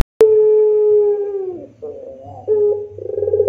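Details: Low moaning coo of a puter pelung dove, rintihan style used to train other doves: one sustained steady tone lasting over a second that slides downward, followed by shorter pulsing coo notes and a low hum underneath.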